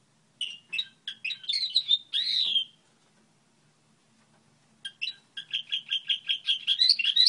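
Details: Goldfinch hybrid song, a model song: bursts of bright twittering notes around the upper range, a pause of about two seconds, then a fast run of repeated chirps building toward the end.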